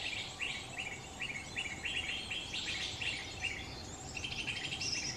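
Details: Lesser green leafbird in the wild in Central Kalimantan, giving rapid, bright chirping phrases repeated several times a second, high and twittering, over a constant hiss of insects and forest background noise.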